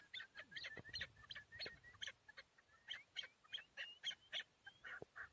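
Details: Chukar partridge in Tajikistan, recorded in 2021, four years old: a quick run of sharp, clipped notes, roughly three to four a second, some rising and slurred, faint and somewhat uneven against a quiet background.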